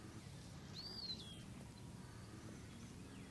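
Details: A single short slurred whistle from an Eastern wood pewee, rising then gliding downward, heard over a constant low rumble of background noise.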